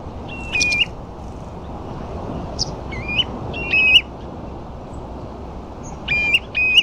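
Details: Ringed plovers and a few dunlin on the sandflats at Ferrybridge, Portland: clear, slightly rising whistled calls, singly and in quick pairs, loudest near the end, over steady broadband background noise.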